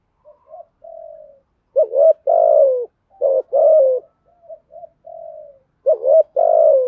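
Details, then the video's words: Spotted dove with a deep 'giọng thổ' voice, its structured 'thúc gù' coos used to draw in wild doves. Soft low lead-in notes, then repeated phrases of a two-part coo followed by a longer falling coo. "chim cu gáy giọng thổ bài bản thúc gù, chim cu gáy đất bài bản gù thúc, chim cu gáy kích bổi"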